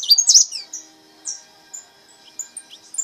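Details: A brown-mutation goldfinch sings a trilled repique phrase: a quick cluster of thin, high, twittering notes, then scattered short high chips and sliding notes over a quiet background.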